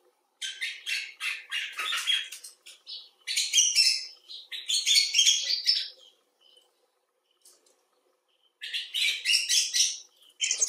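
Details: Bursts of lively warbling chatter from a common bulbul (Pycnonotus barbatus), one of several individuals in care or outdoors. A long quiet stretch with faint clicks separates the bouts.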